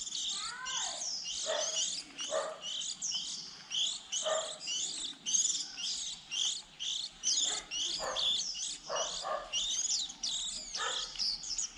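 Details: Young white-eyes early in the 2020 season, when chicks leave the nest around April, used to lure birds into traps: rapid high chattering twitters in pulsing bursts, with occasional short downward-sliding lower notes.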